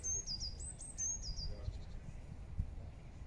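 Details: Eurasian blue tit feeding in Regent's Park, London: high thin notes around the upper range, a clear high note followed by a descending trill, delivered twice in quick succession over low rumbling park background.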